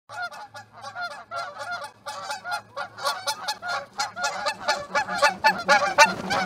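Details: A flock of geese landing in a field near an osprey roost in Charlo, Montana, at 9:40 am on 1 February 2018; loud overlapping honks in quick bursts, many birds calling at once, growing denser and louder toward the end.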